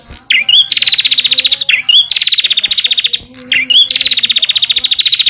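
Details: Bar-winged prinia singing, a recording used to prompt and train caged birds: three phrases, each a quick rising note followed by a loud, fast, evenly pulsed buzzy rattle about a second long.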